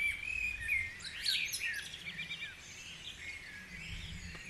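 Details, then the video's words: Early-morning birdsong in Guisborough: a clear level whistle opens, then quick high chirps and twittering phrases from several birds follow one another rapidly, with only faint low noise. "Dawn Chorus"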